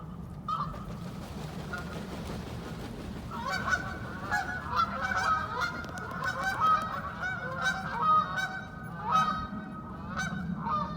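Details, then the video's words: Wild ducks in a wintering flock in freezing weather: sparse calls at first, then a busy stretch of many overlapping nasal calls, all over constant low-pitched background noise. "Quacking Duck Sounds"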